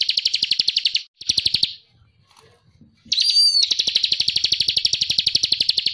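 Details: Ciblek kristal, or bar-winged prinia, in gacor ngebren ngonci song for tutoring songbirds: two short bursts of fast high trilling, a pause of over a second, then an upslurred whistle flowing into a long unbroken rapid trill.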